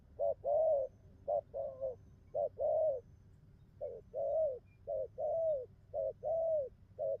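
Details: Low mellow cooing of a spotted dove in the bai ngoai style, brief clipped notes alternating with drawn-out arched coos in an uneven rhythm, with short silences between phrases.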